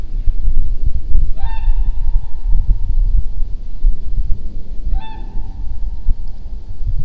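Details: Whooper Swans fly overhead at Red Deer on November 30, 2014, giving two loud, bugling honks about three and a half seconds apart over a steady low rumble of wind or distant traffic.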